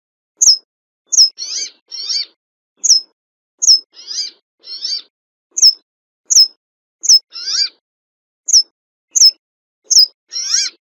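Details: Brambling alternating sharp, high, falling notes with coarse, nasal, buzzy rasps, sometimes two rasps in a row, the pattern running steadily through the whole stretch with no other sounds.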